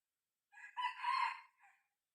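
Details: Red junglefowl crow from a six-month-old decoy cockerel set out to lure wild junglefowl. The crow is quieter and more distant: a brief opening, a fuller strained middle and a faint trailing end note.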